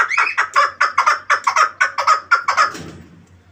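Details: Chukar partridge from the Pamirs calling: a run of about a dozen harsh, clucking chuk notes in quick regular succession, fading out at the end over a faint low hum.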